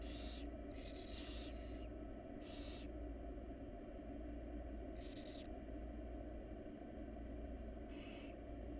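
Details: Nest box camera on a wild barn owl family. Harsh hissing screeches come in clusters near the start, then spaced singly several seconds apart, against a steady low hum.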